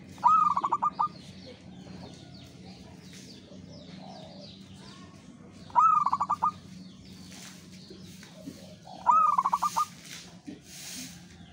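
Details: Local zebra dove singing steadily, giving three rolling phrases spaced a few seconds apart. Each is a brief burst of rapid, ringing cooing notes, with faint background noise between phrases.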